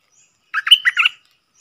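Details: Bubbly song phrase from a wild bulbul believed to have young in its nest and avoiding a nearby cage: about five quick gurgled notes run together and close on a thin trailing whistle, against silence.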